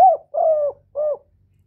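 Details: Spotted dove calling to lure other doves gives three mellow hooting coo notes, the middle one longest and level, the last shorter and dropping at the end, in near silence.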